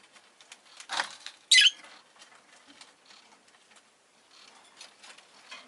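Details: Rosy-faced lovebird giving a single loud, shrill chirp right after a brief fluttering rustle, followed by soft rustling noise.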